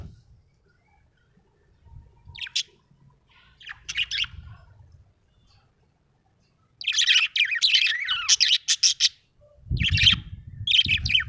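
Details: Happy budgerigar chirping: a few short high chirps early, then a dense run of rapid, chattering warbles and squeaky notes, with low thumping noise near the end.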